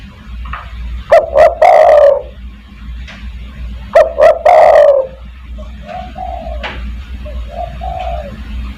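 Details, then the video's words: Spotted dove giving 'kuk 1' coos used as a lure to call other doves: two loud phrases of two clipped notes plus a drawn-out descending coo, followed by softer, lower coos from the background. "burung DERKUKU tekukur master gacor kuk 1 sangat mewah untuk memanggil teman"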